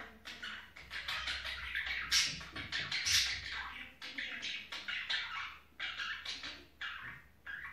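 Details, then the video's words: Budgerigars in mating time give bursts of harsh, scratchy chirping and squeaky warbles, several loud accented squeaks standing out, the bursts separated by brief pauses roughly once a second. "Muhabbet Kusu ciftlesme Zamani"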